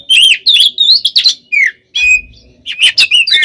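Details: Short stretch of an oriental magpie-robin's fighting song, used as bait to provoke other birds: bright whistled notes and harsh bursts, a brief silence, a clear level whistle, then more quick varied notes.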